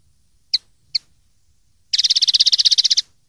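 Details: Common linnet singing on a 2013 recording used to train young linnets: two crisp single chirps followed by a dense, buzzy trill of fast repeated notes lasting about a second, with a quiet background.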